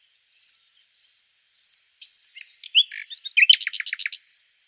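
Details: Nightingale song builds from faint ticking notes to twisting whistles and ends in a loud run of rapid, deep-sweeping repeated notes, with a steady high whine in the background.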